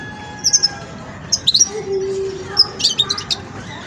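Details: Juvenile Widani European goldfinch learning its song: short clusters of high, tinkling chirps and twitters, loosely spaced, over a constant background hum.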